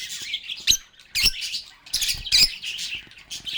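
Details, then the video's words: Playful lovebird chatter: bright, buzzy squeaks and chirps pour out in several loud bursts separated by short lulls, with rustling clicks mixed in beneath the calls. "Lovebirds agapornis sounds | Relaxing Sounds of Singing, Playing, and Talking Parakeets"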